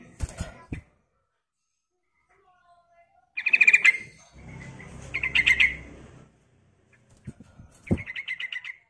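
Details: Sooty-headed bulbul female calling to a male, giving rapid, bright chattering phrases in separate bursts with pauses between them. Low rustling and a few sharp knocks are also heard.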